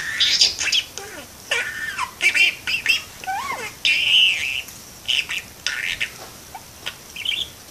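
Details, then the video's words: Parakeet talking and singing at a window: quick mix of chirps, squeaky speech-like syllables and curved whistled notes, delivered in uneven bursts with short pauses. "Cute parakeet talks and sings"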